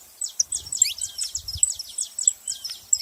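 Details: Saffron finch singing a quick run of thin, high downslurred chirps, somewhat uneven in spacing, with soft low thumps and bumps underneath.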